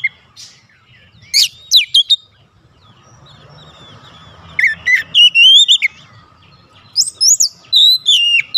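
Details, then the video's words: Oriental magpie-robin song for provoking other magpie-robins: short sharp chirps, a quiet gap with low hum, then lively whistled warbles and high slurred notes. "PANCINGAN AMPUH KACER APAPUN DIJAMIN LANGSUNG NGOTOT KONSLET"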